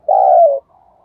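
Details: Captive decoy spotted dove cooing to entice wild doves: one loud, low, hollow coo lasting about half a second, trailing into a soft murmur, in a quiet setting.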